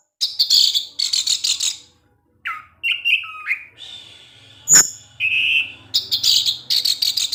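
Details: Evening teler song of an orange-headed thrush that lures other thrushes: buzzy, rasping high phrases, then clear whistled notes that step up and down, a sharp snap, and more scratchy bursts.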